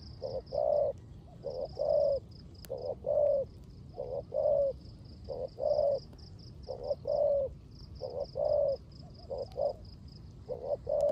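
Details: Spotted dove cooing in the rain, a caged bird used as a lure: soft low hollow coos in grouped phrases of two or three notes, repeated steadily, with a continuous high insect-like buzz and rain hiss behind.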